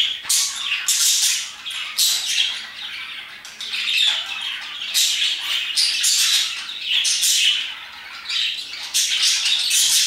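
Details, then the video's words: Parakeets chirping their hearts out around 2pm, loud scratchy squawk bursts alternating with quieter high twitters, voices overlapping in a lively, uneven rhythm. "Parakeets chirping and singing their hearts out"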